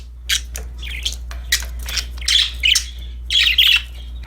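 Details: Happy pet budgerigars playing with a new toy: harsh, buzzy chirps and squawks in bursts of about half a second, irregularly spaced, over a steady low hum indoors.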